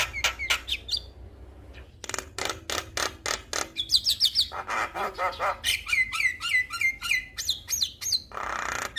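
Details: Male Javan myna in busy song intended to trigger singing in other mynas: evenly paced harsh notes about three or four per second, then runs of crisp falling whistles and chirps.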